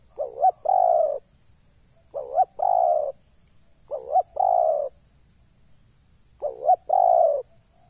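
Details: Spotted dove used as a trapping decoy (terkukur) in rural Rokan Hulu, Indonesia, its calls said to anger wild birds; four repeated phrases, each a quick double rising note then a drawn-out hollow coo.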